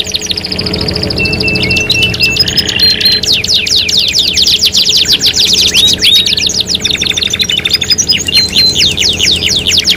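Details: Canary song used as a lure to stimulate other canaries to sing: a loud, unbroken run of rapid high trills and rolling chirps, mixed with short steady whistled notes and fast descending sweeps throughout.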